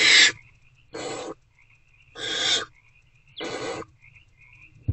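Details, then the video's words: Hungry owlets begging in a nest box on a late February 2024 evening while trying to eat a rodent: four to five short harsh hisses, roughly one every second, with quiet pauses and a steady hum. "Hungry Owlets Try Again to Eat The Rodent."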